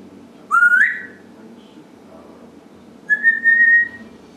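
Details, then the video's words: African grey parrot kept as a pet, whistling indoors: one clear rising whistle, then after a pause a longer, steady, level whistle, both loud over faint room hum. "Talking and Making Noise - African Grey Parrot"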